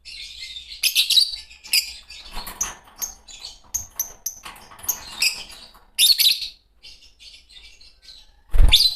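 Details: A green pair of Fischer's lovebirds chirping in scattered bursts: shrill high squeaks and twitters separated by quieter gaps and rustling, with a loud harsh burst at the end.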